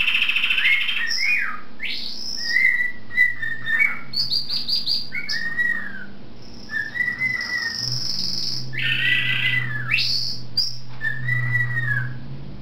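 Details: A pet male cockatiel whistles clear sliding notes, weaving in a spooky wailing phrase, duetting with a male canary that joins in; their whistling intensity rises and falls together.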